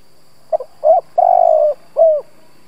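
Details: Spotted dove decoy cooing to stir up wild doves: brief stuttered notes, a short coo, a drawn-out level hollow note, and a closing down-slurred coo, all low and mellow against quiet background.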